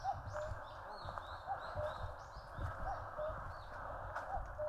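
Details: Common cuckoo calling in mountains in Korea, its low falling two-note call repeated three times about every 1.4 seconds, while other birds add higher, fluttering, swooping phrases behind it.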